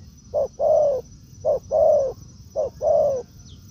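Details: Spotted dove in woodland, encountering a decoy bird; three evenly spaced pairs of low coos, a brief first note then a drawn-out mellow one, with a thin constant tone in the background.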